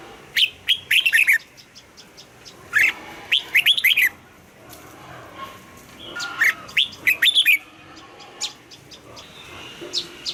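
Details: Red-whiskered bulbul practising its morning song in the 'âm kép già rừng' double-note style; three rich warbled phrases, with scattered softer chirps and other bird notes filling the gaps.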